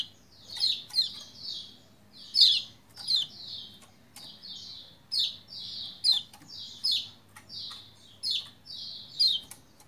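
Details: Lombok white-eye in lively continuous song, played to get sluggish white-eyes singing; rapid run of high chirps and short downslurred whistles, about a dozen loud accents over ten seconds, faint low hum behind.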